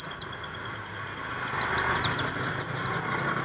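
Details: Javan grey-throated white-eye, buxtomi type, giving a rapid chain of thin descending whistled notes, about three per second, bright and high-pitched, with steady low noise underneath.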